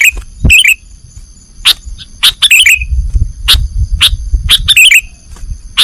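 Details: Sooty-headed bulbul singing nggaruda style, recorded for training cage birds: short bubbly chirped phrases and single sharp notes over a low rumbling background noise.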